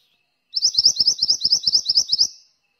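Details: In the morning, a mantenan sings in lively form, a quick, even run of about a dozen high, bright chirps, roughly six per second, for under two seconds against a quiet background.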